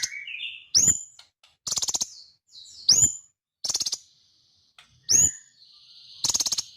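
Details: Sunbird song in which whip-like rising notes alternate with rapid stuttering buzzy trills and thin sustained high whistles, each phrase recurring roughly every two seconds, in a quiet setting.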